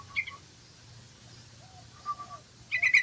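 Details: Sooty-headed bulbul singing actively: a brief bubbly note cluster at the start, a few soft mid-pitched notes midway, then a dense burst of rich chirps at the very end over a low steady hum.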